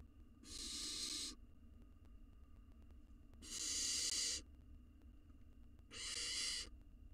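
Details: Hungry wild barn owl nestling devouring a mouse in a monitored nest box: three rasping, breathy hiss-screeches, each about a second long, spaced a couple of seconds apart over faint low hum.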